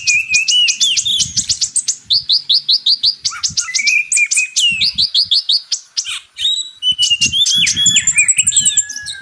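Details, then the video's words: A ruby-cheeked sunbird (Leptocoma sperata), used as a master song for training magpie-robins, pours out a high, thin, hurried twitter of rapid chips, buzzy trills and quick sweeping notes almost without pause, with faint low thumps beneath. "MATERI KACER X KONIN (Kolibri Ninja) masteran"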